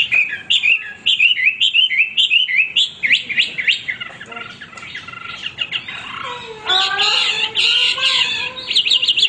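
A Hwamei sings a loud, nonstop stream of rich, varied whistles and slurred notes, switching to fuller, more harmonic, rising phrases near the end.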